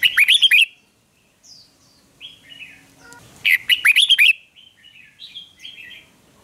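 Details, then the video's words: Red-whiskered bulbul in a singing duel: two rapid bursts of bright, slurred whistled notes, each about six notes long and three seconds apart, with softer chattering phrases and a brief rattle between them. "Kích chào mào hót đấu"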